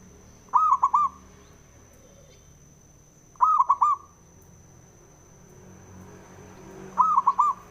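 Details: Three stuttered cooing bursts from a male zebra dove, each a rapid cluster of rounded notes, repeated roughly every three seconds; the song is used to spur other doves to sing, over a steady electronic whine.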